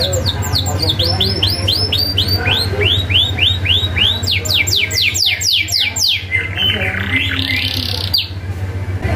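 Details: Canary song on a recording made to train young canaries: long series of crisp downward-swept whistles repeated several times a second, speeding and slowing, ending in a buzzy burst, with a steady low hum behind.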